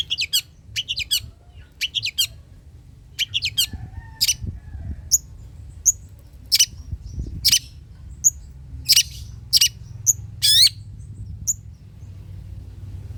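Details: Long-tailed shrike singing as a lure to get lazy shrikes to start singing: a varied chattering string of scratchy, buzzy high notes in bursts, with brief pauses and faint low background hum.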